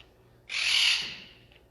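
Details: A Blue Jay, believed female and kept at a Connecticut nature center, gives one harsh, raspy squawk lasting under a second from above a ranger's head with a mouthful of food, claiming it as her own; otherwise quiet.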